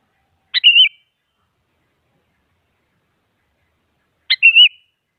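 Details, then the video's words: Two identical phrases from a sooty-headed bulbul, played to goad a quiet bird into singing: each a clipped opening note followed by a brief bubbling whistle, separated by nearly four seconds of silence. "Suara Burung Kutilang Mengajak Lawan Agar Bunyi Bikin Kutilang Diam Semangat Berbunyi"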